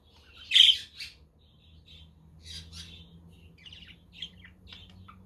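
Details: Pet budgerigars chirping on a windy, sunny day, recorded as company for lonely budgies: a loud harsh squawk opens, then soft warbled chatter and short chirps; a Quaker parrot and a conure are in the background.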